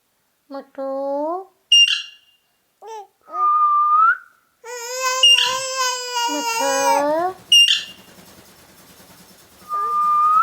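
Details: Talking ring-necked parakeet giving a string of short, rising whistled syllables and speech-like phrases in a clear, nasal voice, broken by brief silences, with a rougher mimicked phrase near the middle.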